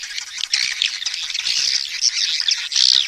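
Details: Swiftlets give a mating and breeding call: a dense, continuous twittering of high, buzzy chirps that run together for the whole stretch, with no other clear sounds.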